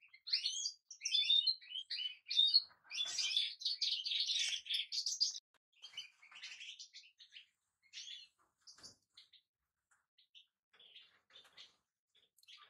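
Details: European goldfinch in long, rapid twittering song for about five seconds, full of tinkling and buzzy notes, then sparse, faint chirps and isolated call notes scattered through the remaining seconds.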